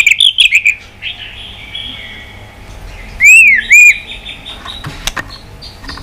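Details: White-rumped shama giving fighting song while flicking its tail: a brief fluttery trill opens, then two loud, clear arched whistles close together, with faint background chirps.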